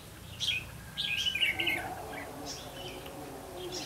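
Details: Red-whiskered bulbul used as a decoy for trapping, recorded 8 October 2016: short bright warbled phrases, one rich run of notes near the middle, with low rumbling background noise.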